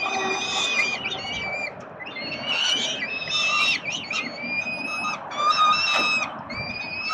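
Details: Hungry peregrine falcon chicks at Collins Street, Melbourne, Australia, beg while their father feeds them on 30 October 2021, with shrill, wavering, overlapping squeals in repeated bursts.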